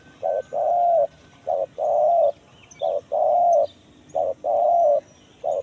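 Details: Spotted dove calling in the kuk 1 mersik style for luring wild birds in forest: steady pairs of a short hoot followed by a longer even coo, repeated at a regular pace over faint background hiss.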